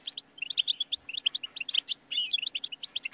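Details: Short European goldfinch phrase: quick, bright chirps in a tumbling sequence ending in a buzzy, slurred flourish, over a faint low drone.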